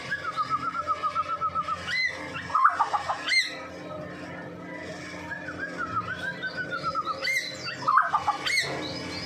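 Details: White-rumped shama from Medan in energetic song, used as a lure for other shamas: pulsed trilled runs broken by sharp upward whistles and clustered notes, repeated twice with background hum.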